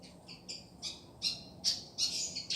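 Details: Pied fantail from Madura giving a series of high, clear whistled notes spaced about every third of a second, growing louder and more emphatic toward the end, with a quiet background.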